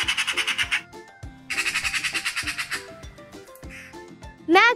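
Magpie giving two harsh, rapid rattling chatters of about eight dry notes a second, over a steady music bed, ending with a brief squeal.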